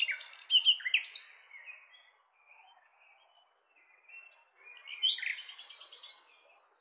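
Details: Nightingale song recorded in Romania: a varied phrase of sharp whistles and chirps, a pause with faint distant birds, then a high whistle leading into a fast rattling series of repeated notes.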